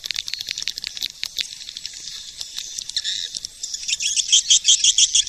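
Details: Rapid high chirps and clicks from swiftlets, scattered at first, then a tight, bright, evenly repeated series of sharp notes at the close.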